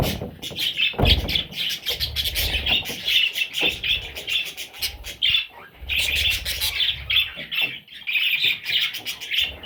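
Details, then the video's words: Loud chorus of parrot chicks, harsh high chirps tumbling over one another almost without pause, with occasional low knocks underneath. "Parrot Chicks"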